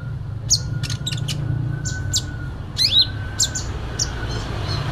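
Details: Sooty-headed bulbul (konin) delivering fighting song: short, high, clipped chirps and a quick rising squeaky phrase near the end, spaced irregularly, with a faint steady tone and low hum behind.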